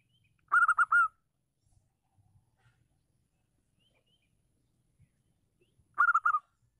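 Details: Lively female local zebra dove singing loudly, used to stir silent males into song: two short cooing phrases about five seconds apart, each of three or four quick clipped coos ending in a longer drawn note. Near-silence with faint low knocks lies between phrases.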